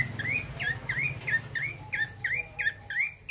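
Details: Vigorous rolling song from a male bar-winged prinia: a steady series of clear, sharply rising chirps, about three per second, with a low hum underneath.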